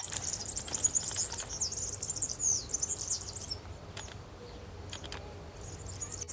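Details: A European serin sings in the wild at Santo Tomás, Zamudio, Bizkaia, 6 May 2018, delivering a long, rapid, high-pitched jingling trill, then fainter fragments after a pause, with a few soft clicks.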